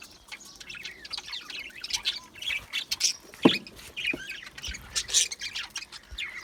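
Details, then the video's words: Budgerigars twitter with high squeaks and short scratchy calls, irregular and overlapping, plus a few sharp clicks and a single louder knock near the middle. "Budgie chirping sounds"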